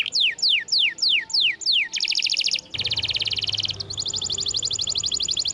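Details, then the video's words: Lively canary song meant as tutoring for canaries that have gone quiet: six steep descending whistled sweeps, then long rapid metallic rattling trills, separated by a short pause, all high-pitched. "MASTERAN KENARI GACOR !! Bahan isian kenari macet bunyi"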